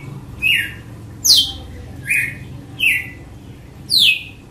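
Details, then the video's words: Red-cowled cardinal singing in the açoite style: sharp whip-like notes, some sweeping down from high to middle pitch, others short and mid-pitched, repeated about every 0.8 seconds, with a faint low hum behind. "AÇOITE DE GALO DE CAMPINA"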